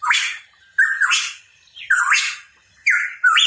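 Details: Hooded pitohui, singing vigorously, gives loud rasping notes with whistled rising onsets, several paired in quick succession, with brief silences between groups.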